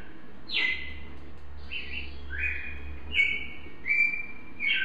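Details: A Red-crested Cardinal (Brazilian cardinal) sings clear whistled notes, high and slurring down into steady tones, about one phrase per second, over a low steady hum.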